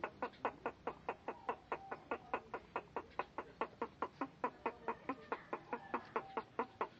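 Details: Unusual vocalizing from a Bangkok rooster, a rhythmic run of clipped, hoarse pulses repeated roughly every half second, with a thin sustained tone audible beneath parts of the sequence.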